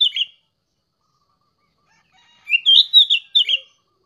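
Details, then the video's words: Young sooty-headed bulbul singing: a brief warbled note, a pause of about two seconds, then a bubbly phrase of four or five fluty, slurred notes, in an otherwise silent background. "Burung Kutilang Muda OTW Gacor!"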